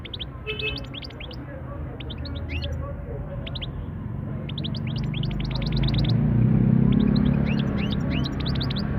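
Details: European goldfinch singing: quick runs of high, thin twittering notes with rising slurs, in repeated bursts over a steady low rumble of background noise.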